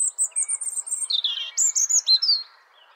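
European robin singing a thin, high, rapid phrase of tinkling notes that slides down, then lifts into brighter wavering trills.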